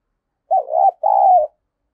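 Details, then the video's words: Decoy spotted dove giving its coo, used to stimulate other doves. One low two-part phrase: a brief warbling note, a tiny gap, then a drawn-out smooth coo, about a second in all. The recording is clean with no other sounds. "Tiếng Chim Cu Gáy Mồi Dùng Kích Bổi Tập Mồi"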